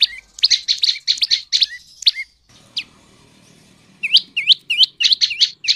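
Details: Tailorbird (prenjak lumut) lure song for getting males and females to sing: clustered sharp chirps, a quiet gap with one lone note, then a series of upswept, looping whistled notes.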